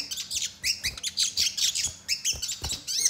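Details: A crimson sunbird belts out dense, high, sharp notes full of sparrow-like chatter, meant to lure young sunbirds into singing: quick downslurred squeaks and trills packed closely together, with occasional low bumps beneath.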